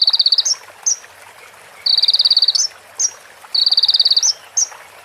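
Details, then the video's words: Master song of a konin sunbird, meant for teaching other birds and said to mix in female prinia and ciblek phrases: short buzzy trains of pulses alternating with isolated bright clipped notes, over soft background hiss. "MASTERAN KONIN FULL ISIAN PRENJAK BETINA SAMBUNG CIBLEK BREN JERNIH JEDA ORIGINAL DARI SUARA KONIN !"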